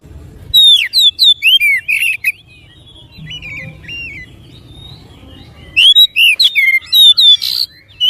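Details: Oriental magpie-robin song played to prompt other magpie-robins to sing: bursts of loud, varied whistled notes, sweeping slurs and sharp chirps, separated by a quiet gap of several seconds.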